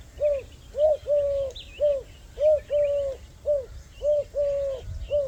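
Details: Soft, low coos from a village dove resting calmly and pecking grain on grass in Pakistan, a steady pattern of short notes alternating with longer held ones, about two per second, over faint distant bird chirps.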